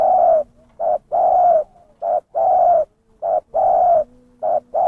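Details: Zebra dove lure recording of a vocal bird: short clipped coos alternating with longer, drawn-out rolling coos, low and mellow, about one phrase every second, clean and loud against a quiet background.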